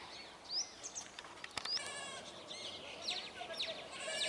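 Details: Flock of Brahminy starlings, also called black-headed mynas, giving overlapping calls: high upslurred whistles mixed with harsh, buzzy, rasping notes, irregularly spaced. Several birds call at once.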